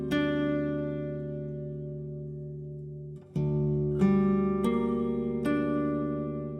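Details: Slow plucked acoustic guitar chords ring out and fade, with a brief pause near the middle before new strums resume, and no animal sounds.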